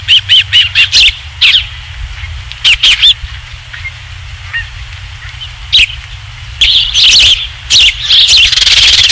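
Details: Osprey at its nest at Dunrovin Ranch on 27 July 2016, around the third fish: bursts of high, sharp chirps in quick runs, a pause, then more chirping, with loud rumbling wind or microphone noise underneath.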